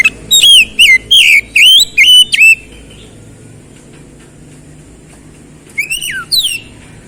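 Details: Oriental magpie-robin (kacer) in quick gacor song: seven or so bright whistled notes with rising and falling slurs in a steady run, silence, then a softer pair of swooping whistles.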